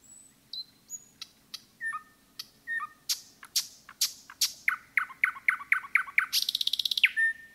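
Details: A nightingale sings among forest trees. High whistles and clicks build into a long series of loud repeated notes, closing with a fast rattling trill and a brief whistle.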